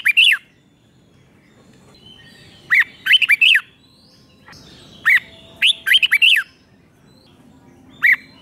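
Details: Red-whiskered bulbul song played for teaching young birds, a Thai five-syllable song style: short bursts of sharp, rising-and-falling whistled notes in quick clusters of three to five, separated by pauses of one to two seconds.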